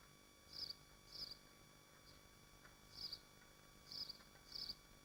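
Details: Nesting swifts at a nest in Machynlleth, Dyfi Biosphere, captured on a livestream: short shrill high-pitched bursts, five in quick irregular succession, over a steady electrical hum.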